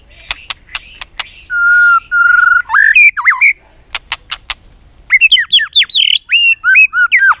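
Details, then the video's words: White-rumped shama singing to compete, tail flicking: sharp clicks, two sustained flat whistles, twisting notes, more clicks, then a rapid string of varied looping whistled notes. "chòe lửa tạch liên tục đập đuôi dùng kích chòe lửa lên lửa hót đấu"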